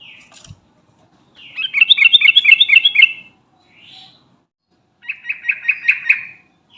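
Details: Yellow-vented bulbul of the garuda type calling to its companions: two bursts of fast, buzzy chattering notes, the first about one and a half seconds long, the second shorter, with a soft faint note between them in quiet surroundings.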